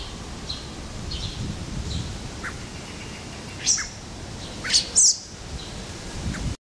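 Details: A common blackbird fledgling standing on a lawn in Helsinki, Finland, in June 2013 gives a few thin, high, brief chirps, spaced irregularly with two close together near the end, over a low outdoor rumble.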